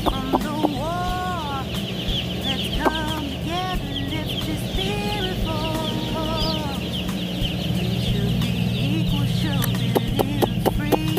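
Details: Broiler chickens on a farm, coming to the keeper they treat like a mother hen; clear, drawn-out whistled peeps, some rising then falling, rise from a busy chick chorus, with sharp knocking clicks and a constant hum.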